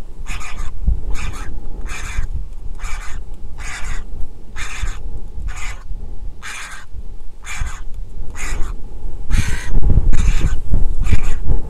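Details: Griffon vulture chick at an Israeli nest camera, hatched April 2021, begging during feeding on 23 July 2021: a long run of repeated harsh, raspy calls under strong low-pitched rumbling and buffeting noise.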